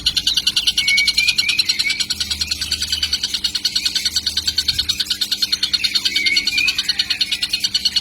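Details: Baby kingfisher, already very vocal, giving a steady, fast train of harsh, buzzy high pulses, about three each second, with occasional thin whistled notes and a faint low hum behind.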